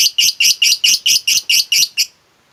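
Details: Lovebird in ngekek style, used to stir a lazy lovebird into song: ten quick, bright, harsh chirps in an even two-second burst, then silence.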